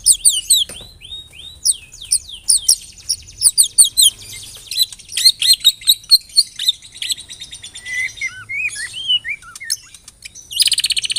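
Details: Caged white-rumped shama used for song training, pouring out a long, rapid medley of high chirps, clicks and descending whistled slurs, dense stuttering bursts throughout, ending with a harsh high buzz.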